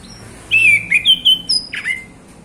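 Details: Male orange-headed thrush singing in the afternoon: a loud run of slurred whistled phrases, some falling, others sliding, with brief pauses between them.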